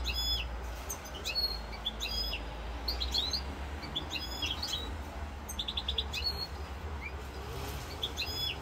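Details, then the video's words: Goldfinch song ('rosse corse'), European goldfinch, 7 November 2022: continuous lively twittering with repeated short phrases of sharp chirps, buzzy trills and a quick rattled series, steady low-frequency hum throughout. "chant chardonneret rosse corse"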